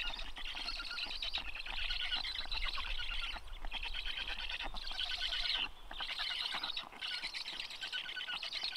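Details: Cold, wet black stork chicks in a Karula national park nest during a rainy day on 14.06.2022, fed by their father: long bursts of harsh, wheezy rasping calls broken by short gaps every second or so.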